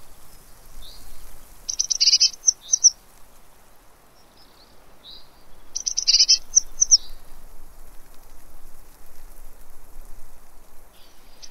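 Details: Eurasian blue tit feeding at a fat ball, Pellerey, France, 3 March 2017. Two clusters of high, hurried chattering notes arrive about four seconds apart, with a few soft single chirps between and light background hiss.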